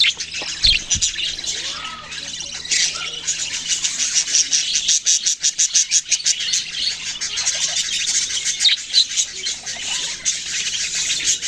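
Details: Baby budgerigars keep up a long, dense chatter of thin, high chirps and buzzy tweets, rising and falling in loudness, with a couple of soft knocks near the start.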